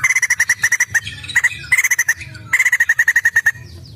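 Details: Lively white-crested laughingthrush song meant to provoke other birds to sing: several runs of fast, bright, clipped notes repeated about ten per second, separated by short pauses and a few brief squeaky calls.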